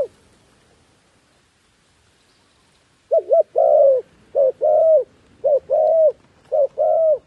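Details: About three seconds of near silence, then a decoy dove luring wild doves starts a fast steady series of paired coos, a short note then a longer drawn one, about once a second.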